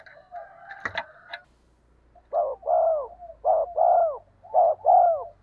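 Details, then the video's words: Spotted dove decoy call with a rich, full voice, played to make wild doves coo back: a brief clatter of other sound, then three paired coos, each a short note followed by a longer one that falls away. "tiếng cu gáy mồi chuẩn dùng kích bổi gù theo hiệu quả"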